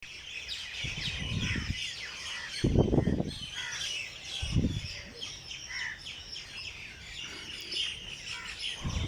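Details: Birds singing early morning in Jilani Park, Lahore: a busy mix of high chirps and short twittering notes, interrupted by several loud low thumps and rumbles.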